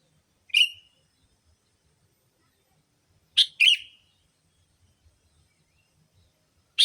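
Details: Sooty-headed bulbul lure sound for attracting bulbuls: a single harsh chirp, then a rough double chirp about three seconds later, and another chirp beginning at the end; long silences between.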